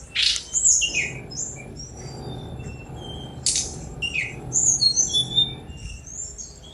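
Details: Sunda robin, known locally as tledekan gunung, singing a varied high song of thin whistled phrases and sharp chips, with two loud descending sweeps and scattered twittering notes; faint low background hum throughout.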